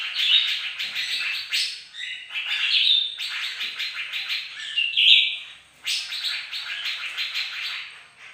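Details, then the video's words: Bright-morning song of a bird-of-paradise in full voice, with dense runs of rapid chattering notes in phrases that break off briefly and resume, with a few clear whistled notes mixed in. "bagus si burung surga lagi gacor"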